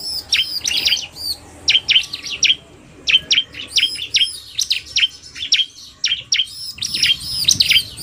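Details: Narung male and fast female bar-winged prinia: rapid sequences of sharp, high, whip-like chirps with ringing bursts at the start and end, steady low background hum.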